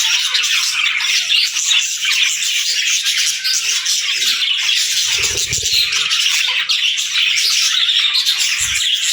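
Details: Several parakeets and lovebirds chatter at daybreak indoors, high twittering and harsh squawks layered thickly together, with a brief low thump in the middle and another near the end.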